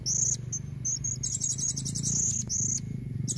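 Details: Shrill, piercing chirps and rapid high trills from a female blue-crowned hanging parrot calling to attract red-necked males, in near-continuous bursts over a low rumbling hum.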